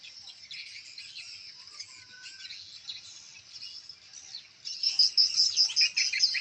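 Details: Swiftlets in a newly built swiftlet house react to lure and chick-sound playback. Soft high twittering builds into a loud burst of clear, rapid chirps repeated about two or three per second near the end.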